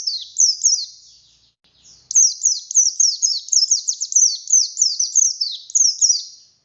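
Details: Singing buxtoni oriental white-eye, wild-caught: a few high chirps, a brief lull, then a long, lively stream of piercing, descending twitters delivered at a rapid pace.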